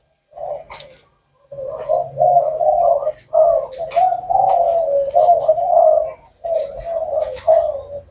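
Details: Spotted dove giving low, mellow coos in phrases of several notes, separated by short gaps, with a faint low hum underneath.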